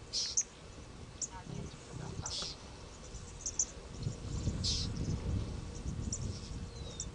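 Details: A couple of yellow-billed oxpeckers close by near buffalo on an afternoon safari drive, Djuma Game Reserve, Sabi Sand, 26 January 2018: short, hissing rasps about once a second over a low engine rumble and faint voices.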